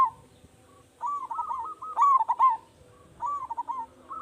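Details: Big-voiced local zebra dove (perkutut) calling steadily, recorded as a lure to prompt other doves to reply: several phrases of mellow, stuttering, rolling coo notes in quick succession with short gaps between them.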